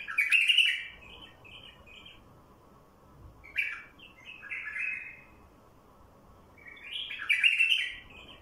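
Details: A wild bulbul's luring song: bright, gurgling phrases that open loudly and trail into softer whistled notes, repeated three times across several seconds, steady low hum in the background.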